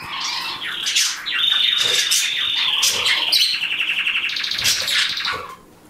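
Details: A pet canary in a home bird room, where the best singers are singled out, sings a bright, continuous high warble with a long steady whistled note, then fast rolling trills, while other cage birds chirp faintly in the room.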